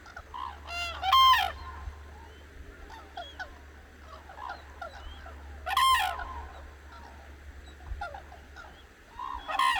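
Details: Cranes just woken at dawn call on the Hantan River in Cheorwon, central Korean peninsula; sharp, loud trumpeting blasts come about every four to five seconds, with scattered soft calls from distant birds in between.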